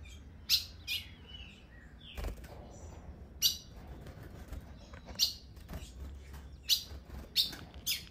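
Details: A female ultramarine grosbeak on a winter morning in the caatinga of northeastern Brazil gives sharp, high, metallic chips, singly or in quick pairs every second or two, soliciting the male, over a low background rumble.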